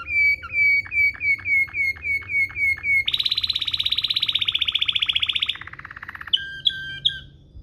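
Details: Canary in Waterslager rolling style, recorded as a tutor for canaries. Strong whistled notes repeat about three per second, switching to a loud, high buzzing roll, a lower trill, then brief bright chips.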